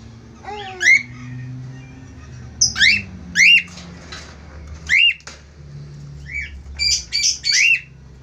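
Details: A pair of budgerigars singing: scattered high, rising-and-falling warbled chirps and squeaky notes at irregular intervals over a steady low hum.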